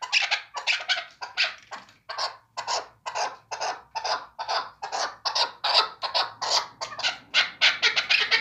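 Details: Hunting chukar partridge calling steadily: gravelly, broadband chuk notes repeated roughly twice a second in an unbroken series, each note short and rasping, with a quiet room hum underneath.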